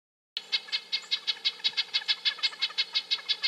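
Red-breasted Nuthatch giving a quick run of short, nasal, tinny notes, about five per second, steady in pitch, over a faint low hum.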